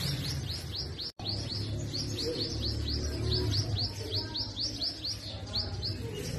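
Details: Sunbird feeding and protecting its young at a hanging nest: a fast, steady run of high, arched chip notes, about four each second, over a constant low rumbling hum, with one brief silent break.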